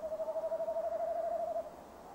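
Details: Near its nest box on 15 December 2015 at 17:10, a male tawny owl gives a single sustained, tremulous hoot of about one and a half seconds, fading into soft hiss.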